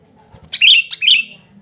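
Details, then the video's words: Noisy call of a Sooty-headed bulbul, meant to lure birds and tutor quiet ones: a few soft ticks, then two bright, rasping chirped notes in quick succession. "suara burung kutilang gacor super ribut memanggil"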